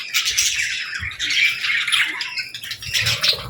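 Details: Baby budgies and lovebirds chirp at feeding time. Dense, overlapping raspy chatter keeps going throughout, with slight dips before a final loud burst.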